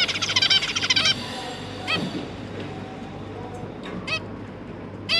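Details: Three juvenile zebra finches, newly hatched, being fed by their parents on 1 October 2022; a quick run of rapid repeated high notes opens, followed by a few separate nasal harmonic calls after a quieter stretch.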